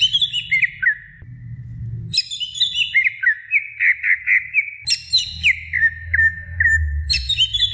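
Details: Greater green leafbird, a female calling her mate, giving bursts of bright, rich whistles that drop in pitch, separated by short trilled runs of clipped notes. A low rumble is heard in the background.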